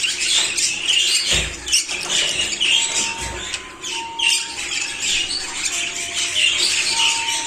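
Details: Show jumbo budgerigars mating, giving dense, scratchy chattering and squawks with a few thin whistled notes.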